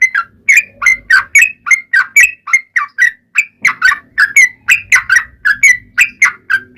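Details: Yellow-vented bulbul song used as a lure to set other bulbuls singing. Rich, gurgling whistled notes come in quick succession, about three per second, each sliding up or down, with a short pause midway.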